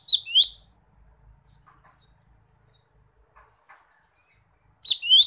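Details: Wild lesser green leafbird calling a rival, with bright rising whistled note clusters at the start and end, separated by a quiet gap holding faint, soft chattering notes.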